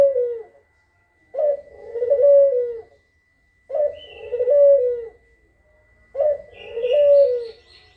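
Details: Kugeruk calls used as a lure so other birds answer: three long coos, each preceded by a quick note, about two and a half seconds apart, with faint higher hissing sounds in the background.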